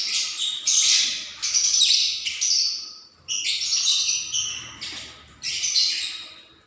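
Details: Lovebird building a nest ahead of egg-laying: harsh, high chattering squawks in bursts of about a second, several bursts spread over a few seconds with brief pauses between.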